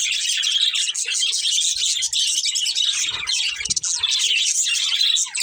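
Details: Chirping budgerigars from a breeding pair: scratchy, fast warbled chatter with sharp high chips, continuous throughout, with a few soft low thumps near the middle.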